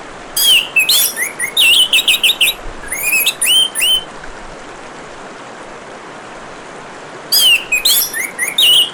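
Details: Orange-headed thrush singing over running water: a long, varied outpouring of quick whistled notes, trills and slurred phrases for about four seconds, silence apart from the water, then another lively burst.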